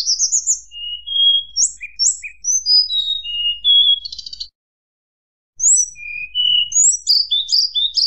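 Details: Fluting song of a hill blue flycatcher, sung to anger rivals: clear slurred whistles stepping up and down, a brief rattling burst, a second of silence, then more bright warbled notes.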